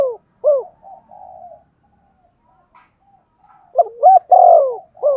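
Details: Cooing spotted dove, used to urge another dove to sing; a single hoot, soft drawn murmuring coos, then a full phrase of quick rising notes, a long sliding coo and a final short hoot.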